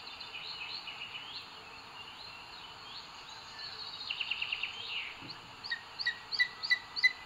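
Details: Booted eagle at its nest in Sierra de Guadarrama National Park, Spain, 2 June 2022, live nest camera, as the male brings food to the female; two bursts of rapid, high, repeated yelping notes over steady background hiss.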